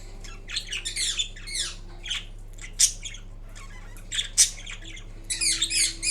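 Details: Pet green Indian ringneck parrot making varied sounds during a nap: clusters of raspy, descending chattering notes alternate with sharp single squeaks, quiet gaps between, and a constant low hum in the room.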